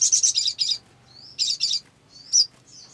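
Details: Olive-backed sunbird used as a lure recording to make other sunbirds sing: high, thin song of rapid buzzy chattering bursts mixed with sharp rising whistles, delivered in quick clusters with brief pauses.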